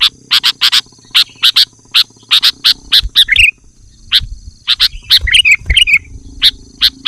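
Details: Prolific sooty-headed bulbul song for luring and tutoring birds: rows of sharp staccato chips, then longer gurgling warbled phrases around the middle, with soft low thumps and a faint background hum.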